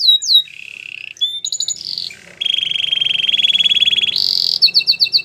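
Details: Canary song from a white canary: a few whistled sweeps, a low buzzy note, a long rolling trill held over a second, then a high rattling phrase to close.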